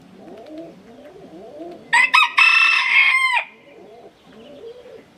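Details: Rooster crowing loudly once, a harsh drawn-out cock-a-doodle-doo lasting about one and a half seconds, set against softer clucking and chattering from other fowl before and after.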